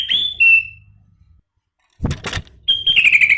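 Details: Sooty-headed bulbul (kutilang) singing in the isian style, on a live stream: a clear whistled note falling from high to mid pitch, a pause, a short harsh noisy burst, then another drawn-out descending whistle.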